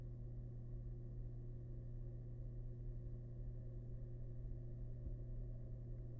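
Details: A quiet, steady electrical hum with low background noise continues throughout, with only one faint tap near the end.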